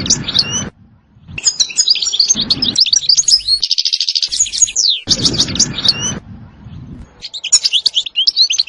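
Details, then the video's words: Twittering European goldfinch song in the ستستة and بتبتة style, including a dense buzzy trill, interrupted by bursts of low rumbling background noise. "تغريد حسون روعة ستستة وبتبتة خرافية محفزة جدا goldfinch jilguero chardonneret"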